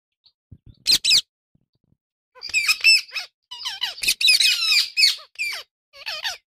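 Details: Indian ringneck parakeet pair, described as a happy parrot: bursts of shrill, squeaky chirps and rapid warbling twitters, a few isolated notes first, then near-continuous chattering phrases.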